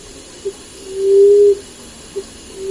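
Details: Common Emerald Dove (Chalcophaps indica) in Sri Lanka calls with a low, soft hoot: brief notes framing a longer, drawn-out moan, deep and mournful, with steady faint background hiss.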